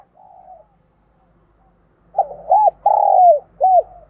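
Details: Caged decoy spotted dove calling to lure wild doves; a soft low hum, a pause, then a phrase of short arched coos and one long falling purr, all near the same mid-low pitch, in quiet surroundings.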